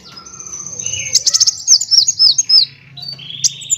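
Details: Van Hasselt's sunbird singing a master phrase for bird training, mixing chattering and rolling: thin high whistles over a faint hum, then a quick series of sharp, arching notes and a brief buzz.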